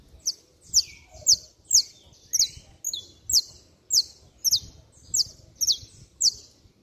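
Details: Saffron finch (canário-da-terra) singing intensely in the 'estralando' style: a steady string of about a dozen shrill, high chips, each sharply downslurred and evenly spaced about half a second apart, over a quiet background.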